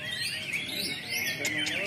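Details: White-rumped shama, the pastol type, singing in a singing competition at a gantangan: rich high warbled phrases with rising and falling notes, overlapping voices of people talking nearby.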